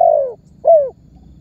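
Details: Spotted dove lure call meant to set other birds calling: a long mellow descending coo followed by a shorter upslurred, falling coo, over faint low background hum.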